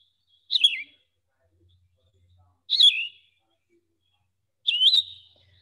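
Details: A yellow-throated vireo of Wekiwa Springs State Park, Florida, sings three short, burry, slurred phrases about two seconds apart. The song is slower than a red-eyed vireo's, with clear pauses and little else heard.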